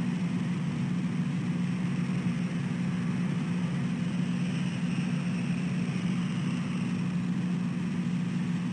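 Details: A low, constant engine hum like an idling vehicle runs throughout in the early morning, with no animal voices.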